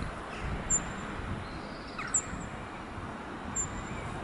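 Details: Cirl bunting at Château de Saumur, France, in somewhat windy weather, giving three thin, very high 'zit' notes, about one every one and a half seconds, over a low background rumble.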